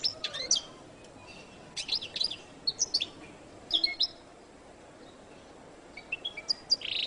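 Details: Goldfinch, the jilguero latino, giving scattered high chirps and sharp slurred notes in short clusters separated by quiet gaps, ending with a buzzy note.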